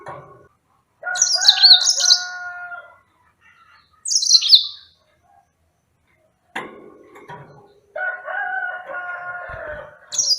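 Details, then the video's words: High, sweet warbled phrases of a yellow-fronted canary sliding downward, heard twice, overlapping steady lower tonal calls. A soft thump and scraping noises fill the middle. "Enchanting Sounds Tropical Bird Calls to Relax finch Serinus mozambicus"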